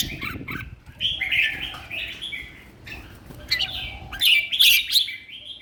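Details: Caged red-whiskered bulbul kept for singing competitions, in strong condition, delivering liquid warbling phrases with a louder, more complex jumbled flourish near the end; faint low background rumble.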